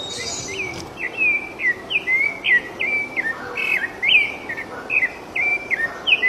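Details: Wild rufous-bellied thrush singing freely outdoors: a steady string of short, fluting whistled notes, each dipping in pitch, repeated rapidly for several seconds, with a brief high hiss at the start.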